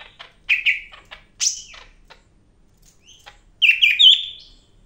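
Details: Medan-type greater green leafbird in lively song, recorded for tutoring other songbirds: sharp chirps and a bright downward-sweeping whistle, then a quick run of stepped, slurred whistled notes near the end.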